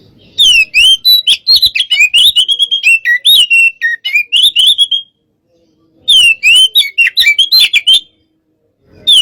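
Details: Oriental magpie-robin, local name kacer, aggressive 'hot type' sparring song: long, rapid chattering and whistling phrases, loud and varied, broken by a short silence, then a second vigorous burst.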